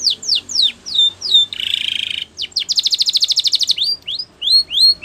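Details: Spanish Timbrado canary training song for canaries: fast series of high, sweeping down-slurred notes, then a buzzy sustained trill, a rapid rattling pulsed roll, and more rising upward-swept whistles.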